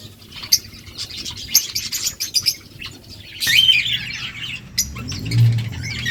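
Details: Budgies talking to each other with scattered high chirps and warbling chatter, a louder buzzy burst in the middle, over a steady low hum.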